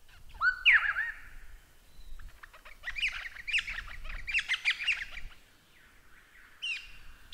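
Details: Lyrebird song in a masteran tutor recording: an upswept whistle, then a dense burst of busy warbling and chatter, with low rumbling background noise throughout.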